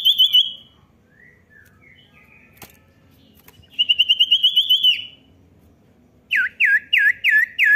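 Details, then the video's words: Common iora call aimed at prompting a young bird to sing: a high whistle, soft slurred notes, a fast buzzy trill, then five loud, sharply rising whistled notes. "cepat pancing bunyi cipow bahan"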